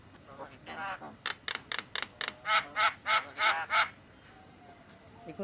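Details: Javan myna, used as a prompting sound for mynas that have stopped calling: a quick series of sharp clicking notes, then five loud raspy, nasal honks in steady rhythm, each about a quarter second long.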